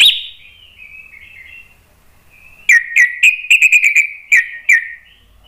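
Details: Agitated orange-headed thrush used to provoke singing: a long fading whistle, a pause, then a rapid stuttered series of about a dozen sharp ringing notes on a steady pitch.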